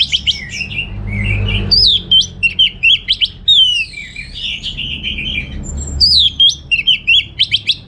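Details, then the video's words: Orange-headed thrush singing at home in Singaraja, Indonesia, for morning or afternoon training of other birds: dense, loud mimicking song of jumbled whistles, trills and squeaks with barely a pause. "Receh & Jos Suara ANIS MERAH Berkicau || Pancingan & Masteran Burung di Rumah Padi maupun Sore Hari"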